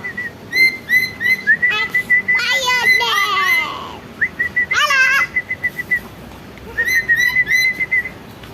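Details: Lory used to stimulate other birds into calling: runs of short, clear whistles on one steady pitch, broken midway by louder harsh, raspy bursts with sliding notes, then more quick whistle runs at the end.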